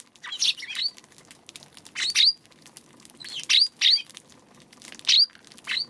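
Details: Eurasian tree sparrow on March 2 calling in a loose series of bright, high chirps, some with a quick upward-flicking note, about six bursts in six seconds against quiet surroundings.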